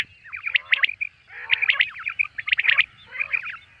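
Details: Common quail calling: quick triplets of short, sharp, upward-sweeping notes, each group repeated about once a second, with softer chattering notes between the phrases and a faint low hum underneath.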